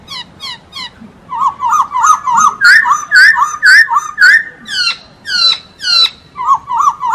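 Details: Masked laughingthrush in full, active song: a rapid run of rich, wavering whistled notes repeated almost twice a second, broken by sharper downslurred whistles, with a quiet low hum underneath.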